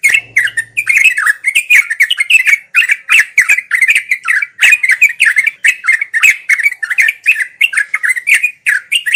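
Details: Long, busy bubbling song of a sooty-headed bulbul (trucuk), played daily so learning birds pick it up; rapid chirping notes tumble in unbroken phrases, a steady stream of slurred warbles with brief breaks, plus a faint low hum at the start.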